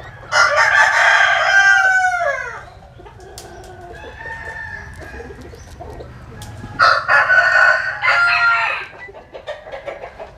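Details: Sunbathing rooster in Vietnam's western Mekong region crowing twice, each a loud harsh two-second crow, separated by a quieter stretch of low background noise.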